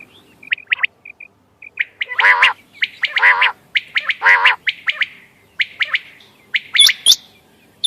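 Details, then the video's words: Quail calls for hunting, 14 May 2025: scattered short chirps, then repeated harsh, nasal, overtone-rich squawks about once a second among quick chirping, ending with high hooked whistles. "quail bird sounds bater ki awaz quail sounds 👌 🔥 بٹیر کی آواز شکار کیلئے quail bird"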